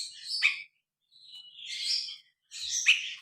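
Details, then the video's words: Grey-cheeked bulbul, phone recording: three soft, breathy, scratchy phrases separated by short pauses, each with a sharper accent. "Suara burung brinji kelabu"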